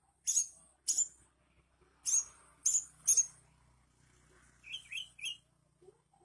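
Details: Oriental magpie-robin in strong song; a series of sharp, very high clipped notes at uneven intervals, followed by three quick lower rising whistles.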